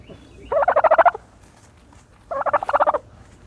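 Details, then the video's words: Turkey in a dirt bath producing two matching gobbles, each a quick rattling run of pulses, with a quiet pause between. "the special noises of a turkey bathing in dirt"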